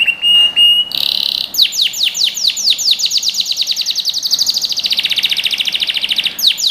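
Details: Singing canary in a training recording for young birds: short whistle and buzzy trill, then a long accelerating run of downward-sweeping chirps merging into a fast rolling trill.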